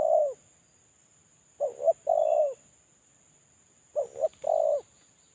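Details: Lure call of a moulting spotted dove kept as a decoy bird: a trailing coo, then two full phrases, each two clipped low notes and one sustained mellow coo, spaced a couple of seconds apart over near silence.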